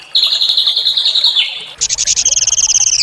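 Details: Training recording of small songbirds for a white-rumped shama: an even high trill slides lower, then gives way to rapid buzzy pulsing notes at a higher pitch, with a faint low rumble underneath.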